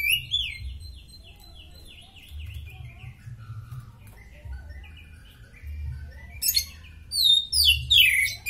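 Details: Oriental magpie-robin, a fit bird kept as a song tutor, giving a soft descending series of repeated whistled notes that fades, then loud sharp sweeping phrases burst in near the end over a low hum.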